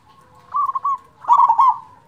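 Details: Local zebra dove with a big voice, its song used as a lure to get lazy zebra doves singing: two rolling, bubbly coo phrases near the same low-middle pitch, the second louder and more stuttered, with quiet gaps around them.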